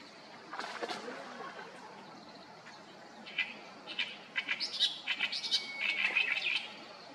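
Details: Great reed warbler in Japan singing noisily: loud, rasping, chattering phrases build in the second half, with rapid repeated harsh notes and a brief whistled slide, set against steady background noise.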